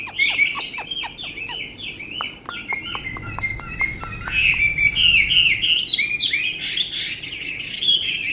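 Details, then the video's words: Chinese hwamei, a tame bird, opens with a string of sharp clicking notes mixed with brief whistles, then breaks into a loud, rolling warble of quick rising and falling phrases. "họa mi ccdv1121 thuần đẹp giọng hay quá"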